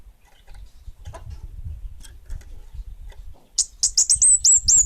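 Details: Orange-headed thrush of the bunga api variety, singing actively: low rumbling background, then a quick series of about seven high, clipped, down-slurred whistles rising in strength toward the end.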